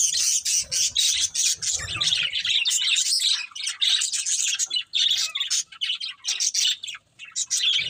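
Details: Budgerigars, a breeding pair, in steady high-pitched chattering, a long stream of quick raspy chirps and warbles with only brief breaks.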